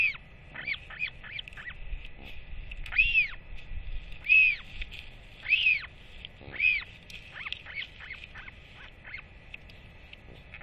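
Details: Northern royal albatross chick excitedly wheeing as a parent comes to feed it, 8.10.24; a run of short clipped notes mixed with several arched drawn-out calls, the call series uneven over ten seconds.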